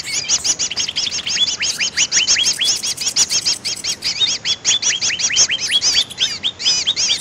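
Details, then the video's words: Lure recording of greater green leafbird for trapping birds: rapid, excited stream of high chirps, many short rising and falling notes crowding together without pause for seven seconds. "suara pikat burung cucak ijo paling ampuh"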